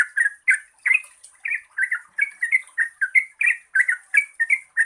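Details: Yellow-vented bulbul giving its long, rapid chattering song to encourage quiet birds to sing: rollicking, gurgling notes in a steady stream, with high hiss in the background.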